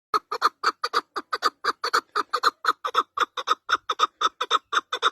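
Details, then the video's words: Partridge giving a steady run of short, hoarse clucking notes, about two per second, each harsh and rasping with a rich, full tone, evenly spaced throughout with no other sounds. "Cutest Partridge bird"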